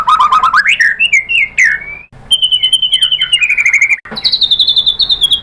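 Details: White-rumped shama song meant to provoke other shamas to sing: a low rapid trill leaping into clear whistles, then a long pulsing trill on a high pitch, a short gap, and a higher rattling trill.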